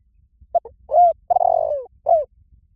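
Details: Spotted dove lure call for drawing wild doves: one phrase of two short clipped coos, a rounded coo, a long buzzy descending coo and a final falling coo, low and mellow, over quiet background.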